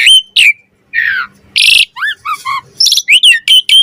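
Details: Varied song of an Asian pied starling, 'mompa variasi' style used as a master recording for other starlings: sharp whistles, a harsh rasp, a descending trio of buzzy notes, then bright repeated chirps.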